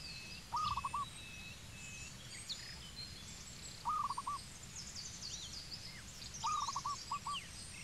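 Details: A zebra dove in Cambodia calls three times with short staccato cooing runs spaced about three seconds apart. The last run trails into a few extra notes, and soft chirps from other birds continue behind.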